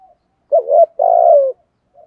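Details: Lure call of a spotted dove meant to provoke wild males, one phrase: a soft rising double note followed by a longer, rolling coo that slides down at the end.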